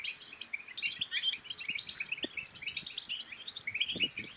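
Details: European goldfinch song meant to prompt silent goldfinches to sing, an energetic stream of chattering, tinkling notes and sharp high chips, with a few faint low taps.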